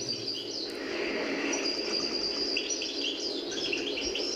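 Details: European goldfinch improvising on an old cassette recording, perfecting its song as if rehearsing; a mimic of other birds' notes. Continuous fast twitters, trills and sharp chirps over tape hiss and hum.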